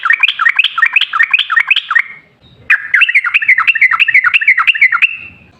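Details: Long rapid-fire song of a sooty-headed bulbul, used as a lure to set other bulbuls singing: lively chattering phrases of rising-falling notes, a two-second run, a short break, then a longer, steadier run.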